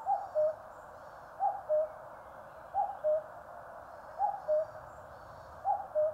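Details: Rhythmic cuck-oo from a cuckoo in Korean mountains, five paired notes falling in pitch, with faint high twittering from small birds in the distance.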